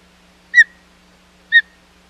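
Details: Osprey at the Hog Island nest on 25 July 2020, during an unsuccessful second fish delivery attempt. Two sharp, bright whistled chirps about a second apart, each with a brief trailing tail, against an otherwise quiet background.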